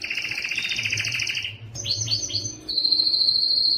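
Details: Yellow canary singing: fast buzzy trills around high pitch, switching to a lower rolling tour, then a series of three descending whistled swoops and a steady high sustained trill.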